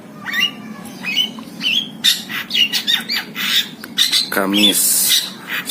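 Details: Tame caged long-tailed shrike from Java in full song, mixing thin whistled slurs with harsh, grating squawks and rasping bursts, followed by a short run of rapid, stuttering low notes.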